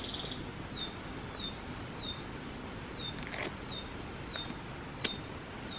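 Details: Wild Narcissus flycatcher in Biei, Hokkaido, Japan, with a female nearby, giving short thin high call notes repeated steadily about every two-thirds of a second, with a few sharp camera shutter clicks and a low background rumble.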